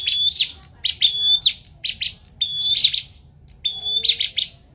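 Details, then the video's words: Energetic Bar-winged prinia song with whistled notes broken by buzzy stuttering ticks, several phrases in quick succession, loud over a faint low rumble. "Adu Suara Burung Prenjak Gacor"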